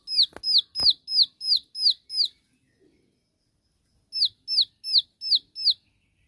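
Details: Bar-winged prinia, known locally as ciwah, in 'tembakan' shooting song meant to provoke rivals: two bursts of crisp falling high notes, several per second, split by a pause of nearly two seconds, with a couple of clicks early on.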